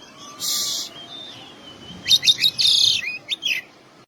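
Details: Oriental magpie-robin singing mimicked phrases: a thin high whistle, a scratchy burst, then a quick series of sharp chirps and harsh rattling notes.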